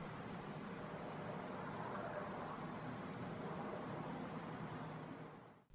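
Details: Steady road traffic rumble with passing vehicles and no clear animal calls, fading out at the end.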